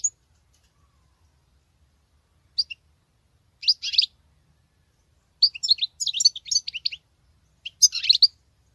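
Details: Female European goldfinch singing as a male would: short high chirps followed by clustered bursts of sharp, jangling twitters separated by brief silences.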